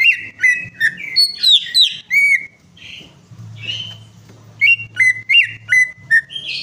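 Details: Greater green leafbird in full song, meant to prompt a silent bird to sing: rapid varied whistles and slurs, a brief quiet gap, then evenly spaced ringing notes about three per second over a background hum.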